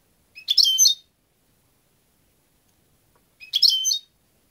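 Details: European goldfinch: two separate high chattering phrases about three seconds apart, each a tight jumble of tinkling, slightly buzzy notes, against a silent background.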